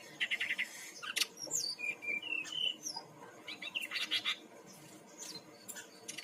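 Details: Lure song of a Bali brown-chested jungle flycatcher, played to prompt birds to sing: a rapid jumble of high chirps, slurred whistles and trilled bursts, with short pauses between phrases.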